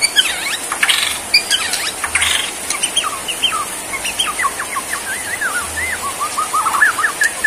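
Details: Bornean white-rumped shama delivering varied song while bowing in 'sujud' style. Sharp high notes and V-shaped sweeps open, followed by a long run of quick wavering whistled notes and twitters.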